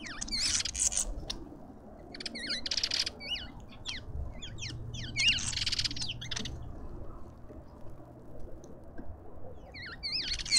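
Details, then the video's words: Suburban garden feeder in Pretoria, South Africa, with lovebirds calling: scattered bursts of grating high screeches and sharp upslurred squeaks separated by brief quiet gaps, over soft background hum. "Lovebirds endlessly"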